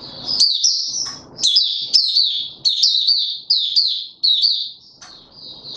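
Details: High-pitched chattering opening song from a caged white-eye brought into form, 31 December 2021: a string of short, bright warbled phrases repeated roughly every half second to second with brief gaps, a soft rustle beneath.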